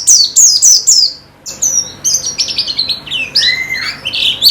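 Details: Pleci (white-eye) singing in a therapy recording: loud fast descending chirp series, a short break, then varied high twittering and a lower sliding whistle, about four notes per second.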